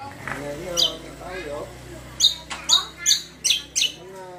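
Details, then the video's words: Greater green leafbird (cucak kombo) song used as a lure to make other birds answer: after some low voice-like sounds, a run of five or six sharp, high chirped notes about every third of a second. "PANCINGAN BURUNG CUCAK KOMBO KECIAL KOMBO BAHAN MANAPUN LANGSUNG NYAUT"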